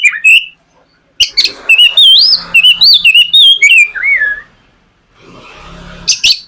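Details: White-rumped shama song used as a lure to get a young shama singing: loud clear whistles sweeping up and down, rapid varied phrases, then a pause with faint background noise before more notes.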